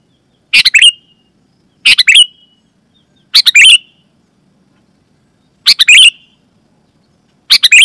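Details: Loud, clear sooty-headed bulbul call for luring wild bulbuls: five chattering bursts of several rapid notes, separated by irregular pauses of one to two seconds, against a quiet background.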